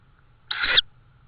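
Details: Evening recording of a tawny owl in Estonia, May 2013, around prey being brought; one sustained hissing screech of roughly a third of a second, rough and high-pitched, over a faint low rumble and thin tone.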